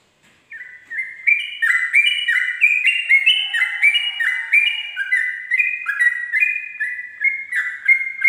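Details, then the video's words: Sooty-headed bulbul giving dawn 'ropel' song, a tutoring recording: after a brief quiet start, a fast stream of stepped two-tone whistles runs steadily, about two per second, with a faint low hum underneath midway. "pancingan trucuk ropel subuh"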